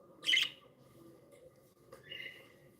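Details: Happy pet budgerigars chirping indoors: a loud, harsh chirp at the start, then a quieter tonal warble about two seconds later, with a faint background hum throughout.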